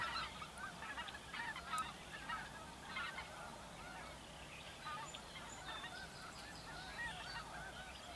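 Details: Spring-migrating snow geese on the Dakota prairies, feeding and resting among Ross's geese and other waterfowl; many overlapping short rising yelps and honks pour out continuously from a large flock, with soft background hiss.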